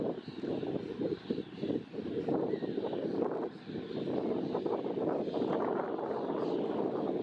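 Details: Steady wind rumble and low droning noise outdoors, with no animal voice standing out.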